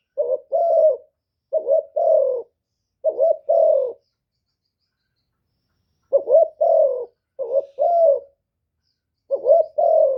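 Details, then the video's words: A decoy spotted dove calls in the 1 hậu ròng style to draw wild doves: six two-note coo phrases, hooked then falling, in groups separated by a two-second pause, with no other sounds. "TIẾNG CHIM CU GÁY 1 HẬU RÒNG BỔI CỰC GHÉT, CU GÁY KÍCH BỔI CỰC CHẤT"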